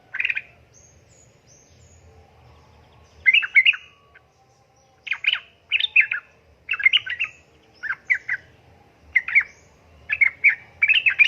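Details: Female sooty-headed bulbul calls to attract a male; after an opening burst and a pause, harsh bubbly chattering phrases follow roughly every second, strong and close.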